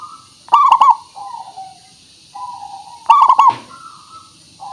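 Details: Local zebra dove song used as a lure to make doves sing: two loud rolling cooing phrases of rapid stuttered notes about two and a half seconds apart, linked by softer sliding coos.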